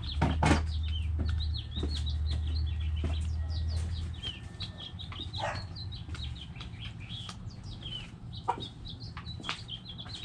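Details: Backyard chickens, hens clucking while many high chirps repeat quickly throughout, with sharp clicks and a low hum during the first four seconds.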